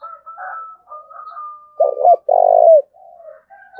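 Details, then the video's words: Spotted dove from Đồng Nai, Vietnam, calling in 'thúc bổi' style: a faint thin whistle and soft coos, then two clipped coos and a long rolling, slightly descending coo, another phrase starting at the end. "Cu Gáy Đồng Nai Đang Thúc Hay Nhất, tiếng cu gáy thúc bổi mới"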